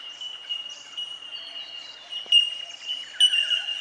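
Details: Bellbirds, or bell miners, at Benarkin, SE Queensland: steady stream of pure, high, bell-like pings from several birds, louder sharp tinks about every second near the end, over soft background chatter.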